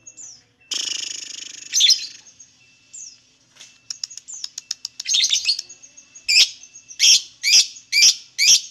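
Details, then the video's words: A lovebird sings a rapid buzzy trill, then scattered twittering and clicks, ending with evenly spaced loud harsh chirps about every half second. "LOVEBIRD SINGING"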